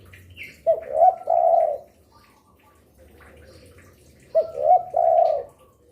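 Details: Spotted dove that coos readily day and night, used to lure wild doves: two repeats of a phrase made of quick short coos leading into a longer, level, mellow coo, about three seconds apart.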